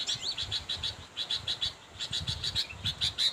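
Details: Sooty-headed bulbul calling out to a rival: rhythmic high chips in quick succession, a short lull in the middle, then a fresh run of sharp notes ending on a clearer whistled tone.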